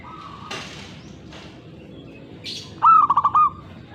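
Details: Zebra dove singing one phrase: a rising cooed note followed by a quick run of short, even, rolling coos, preceded by soft flutters and rustles.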